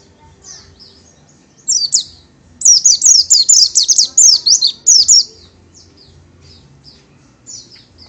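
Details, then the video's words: Oriental white-eye (Zosterops palpebrosus), a small yellowish-green songbird valued for its melodious song, gives a rapid, high, thin twittering run of sweet notes for about three seconds, with scattered soft chips before and after over a low hum. "Burung Pleci / Burung Kacamata / The Oriental White Eye / Zosterops Palpebrosus"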